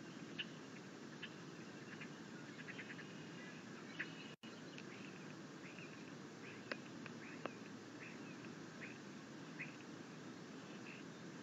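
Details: Young bald eagle on the nest, dated 6.9.21, trying to feed itself on a rabbit before its mother delivers a fish. Many short, high, clipped chitter notes are scattered irregularly across the clip above a steady low noise floor.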